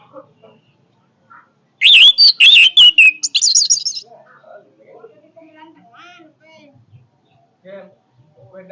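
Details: Orange-headed thrush singing forcefully: a dense two-second burst of high, harsh and warbled notes with wavering whistles, then faint low scattered sounds in the background.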